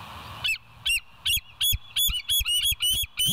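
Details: Bald eagles, live nest cam, 28 August 2023 at 07:02: loud, close, high squealing chirps in a rapid, slightly uneven string of about ten notes.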